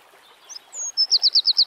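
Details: A short burst of Eurasian wren song in nature: a couple of thin high whistles, then five quick, sharp, evenly repeated notes.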